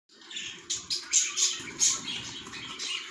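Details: Budgerigars in a nest with chicks: a run of short, bright chirps and squeaky notes, rising and falling, roughly four per second, with a soft low rustling underneath.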